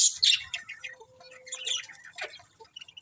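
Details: A burst of loud shrill budgie chirps gives way to softer rapid twittering notes, about four a second, with a faint steady tone in the middle and bright chirps closing.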